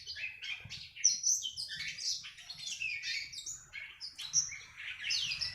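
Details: Young black-throated canary in training, diligently producing ngriwik song: varied twittering phrases of sharp high whistled notes and quick slurred chirps, irregular and jumpy in rhythm, over a quiet low background murmur.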